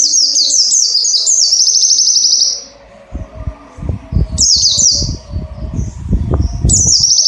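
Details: Oriental white-eye song used as a training recording for caged birds: rapid, very high twittering trills in bursts over two seconds long, then shorter bursts. Low dull knocking thumps fill the gaps between them.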